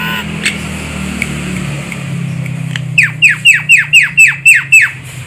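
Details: Javan myna lure call for trapping birds: after a quiet hum-filled start, nine loud, evenly spaced downward-sweeping harsh notes about four per second, over a steady low rumble.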